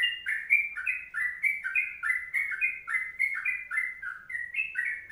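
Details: Rapid 'ropelan' delivery of the long 'kongslet' song by a sooty-headed bulbul: bright, slurred, bubbly notes tumbling one after another over five seconds against a quiet background.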